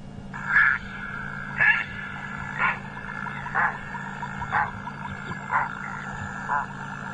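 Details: A Grey Heron near a river bed at sunrise on 30 April gives harsh, rasping croaks, about one a second, eight in a row, over a steady engine-like hum. The call is shrill at first, then becomes a deeper grunting.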